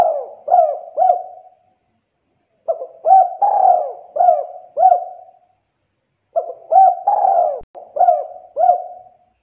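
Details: Spotted dove (derkuku) calling steadily: three bouts of deep, hooting coos, each a quick series of four to six soft notes with a longer drawn middle note, separated by pauses of about two seconds; clean background.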